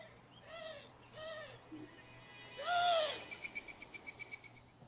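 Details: Eurasian Collared-Dove in North America: three low, arched coo-like notes, faster than a mourning dove's, then a rapid run of thin squeaks from its wings as it flies off, about five per second.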